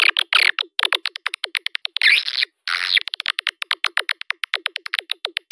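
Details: Swiftlet lure sound for drawing birds into a swiftlet house: mostly rapid sharp clicks in series, with a few harsh buzzy twittering bursts in the first half.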